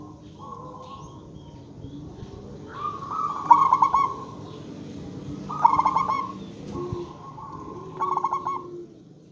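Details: Local zebra dove acting as a lure so other zebra doves call back: three phrases of stuttering coos, each a held tone and a fast trill, about two seconds apart, with quiet low hum behind.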